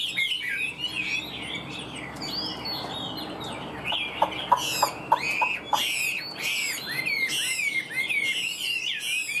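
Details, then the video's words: Tame captive hwamei with a fanned tail, kept for its good voice, pours out rich, looping whistles and sharp upward slurs. A run of dry clicks breaks in near the middle. "Họa mi giá rẻ cho anh em về chăm thêm, đuôi xòe giọng hay"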